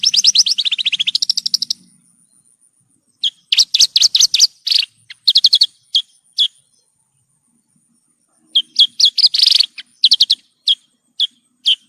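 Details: Song of a Horsfield's bush lark, played to teach caged birds: an opening rapid trill, then irregular groups of sharp, high chirps and isolated single notes with long quiet gaps.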